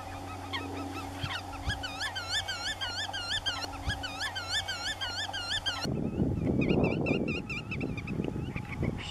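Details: Black-tailed godwit, flock filling the air with 'grutto' calls: nasal, wavering calls repeated quickly, about three a second, over a low steady hum that gives way to wind noise.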